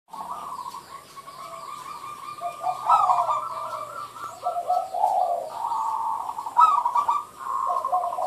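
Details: Zebra dove (merbuk) giving a continuous bubbling, warbling run of mid-pitched coos with rolling trills, recorded outdoors with some faint background chirps.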